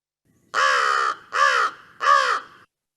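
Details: An American Crow gives three loud, harsh caws, each about half a second long, with short pauses between; the classic crow call that distinguishes it from the look-alike fish crow, in the Virginia Beach area.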